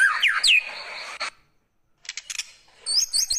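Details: Young wild white-rumped shama from the forest, lured out, singing canary-like imitations: bright rising and falling whistles for about a second, a pause, then rapid high chips and sharp upslurred whistles.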